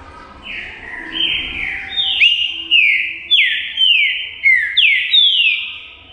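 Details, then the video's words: Green-winged saltator in full song, a string of bright descending whistles, about eight slurred notes rising in loudness and repeated at a quick even pace, with faint hum below. "TRINCA FERRO SADRAQUE FOGUEIA O SEU COM CANTO"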